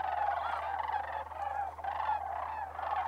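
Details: A large flock of sandhill cranes on migration at Bosque del Apache Wildlife Refuge, New Mexico, in December, giving continuous overlapping rattling, bugling calls that swell and dip in loudness, with a faint low hum beneath.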